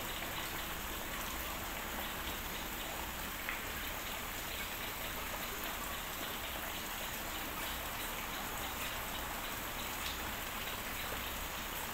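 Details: Steady rain falls throughout, a dense hiss of drops with no animal voice standing out.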